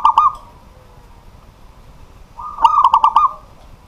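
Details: Zebra dove of the local type singing at night as a pet bird; the tail of one phrase opens, then after a pause a full burst of rapid, bubbling coos, each note clipped and ringing.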